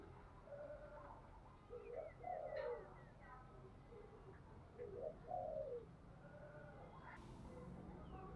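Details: Spotted dove giving intense cooing and calling coos, used as a lure for trapping and training decoy birds; two bursts of low, throaty, rolling coo phrases about three seconds apart over steady background hiss.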